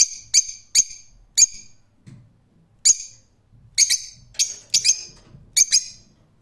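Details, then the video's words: Rose-ringed parakeet giving shrill, sharp screeching calls, about eleven short harsh notes in quick bursts, some doubled, with brief pauses between, over a quiet background. "Cennet Papağanı Sesi"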